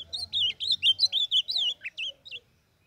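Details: Young blue-black grosbeak of the Brazilian Northeast singing, played for training and warming up: a quick burst of bright, looping whistles, about ten notes in two and a half seconds, ending in a few softer notes.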